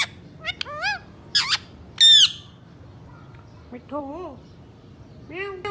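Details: Pet Indian ringneck parakeets, three birds billed as talkers, produce loud harsh squawks and a piercing descending screech, followed by lower, throaty rising-falling calls that could be chattering attempts at speech.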